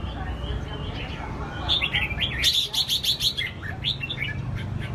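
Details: Caged red-whiskered bulbul, a competition songbird, gives a lively cluster of bright, rapid chirped and whistled notes, with faint voices and a low hum in the background.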